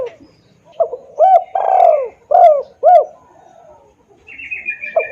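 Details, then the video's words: Loud, clear spotted dove lure call meant to draw wild doves to answer: a run of four or five deep, rounded coo notes with one longer drawn-out note, then a short high thin sound and a final coo. "suara pikat tekukur||suara keras dan jernih"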